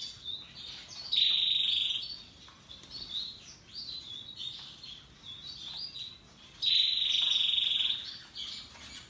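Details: Russian yellow and Timbrado canaries singing: two loud sustained high rolling trills about five seconds apart, with softer twittering notes between them.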